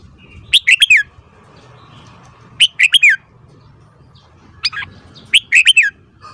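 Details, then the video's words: Caged red-whiskered bulbul morning song for voice training: short loud whistled phrases of three to four fast notes, repeated roughly every two seconds, with a quiet background. "Luyện giọng chào mào hót sáng"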